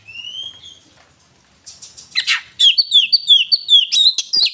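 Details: Oriental magpie-robin, called kacer, singing: a faint high whistled note and soft chatter, then a loud burst of rapid sharp chirps and downslurred whistled notes in quick succession.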